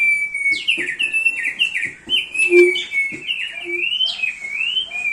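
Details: Thick-billed heleia delivering a vigorous training-master song: continuous warbled whistles weaving up and down, with sharp high upslurs and some low soft knocks beneath.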